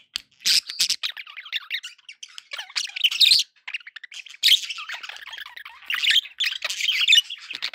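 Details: Happy pet budgies chattering without pause, a busy stream of high, scratchy warbles and squeaky chirps rising and falling in loudness.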